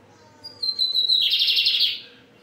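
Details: Lined seedeater in Brazil, singing firmly: a clear high whistle slides slightly downward, then breaks into a dense, rapid buzzy trill lasting over a second before stopping; a faint steady low hum underneath.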